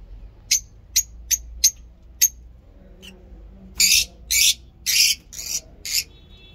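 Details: Lovebirds kept at a mini zoo, heard in the morning: five sharp, clipped high chirps, then a row of loud, raspy, broad screeches, each about a third of a second long.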